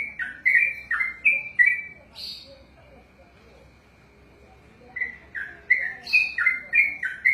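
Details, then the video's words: A trained trucukan (yellow-vented bulbul) sings a run of bubbly whistled notes, stops for about three seconds, then resumes the same rolling ropelan phrases. "ROPELAN BURUNG TRUCUKAN TERPANJANG DALAM SEJARAH"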